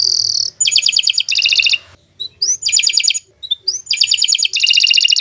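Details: Long canary song meant for tutoring other birds, with bursts of rapid rattling trills broken by brief pauses and short upslurred whistles, the fast phrases returning several times.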